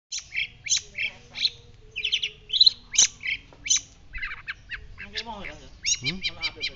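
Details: White-breasted shrike, local name pentet laut dada putih, singing vigorously as a training recording. Varied chattering song of short buzzy and chirping notes in quick bursts, a few lower sweeping notes near the end.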